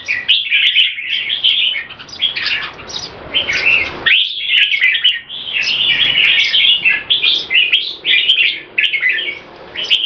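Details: Olympian-class red-whiskered bulbuls, a caged pair performing a speed action display, pour out rapid overlapping whistles and chattering notes in near-continuous bursts, with one short lull around the fourth second and faint sharp clicks.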